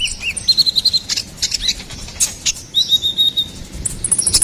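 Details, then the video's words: Ruby-cheeked sunbird song used as songbird master audio: a fast run of evenly spaced high ticking notes, then scattered chirps and a thin, level whistled trill, with light background noise. "SUARA GACORAN KONIN KOLIBRI NINJA"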